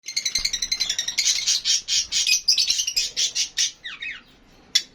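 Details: Lovebirds, including Fischer's lovebirds, give a rapid run of shrill, high chattering chirps for about four seconds, then a few sharp squeaks after a brief pause.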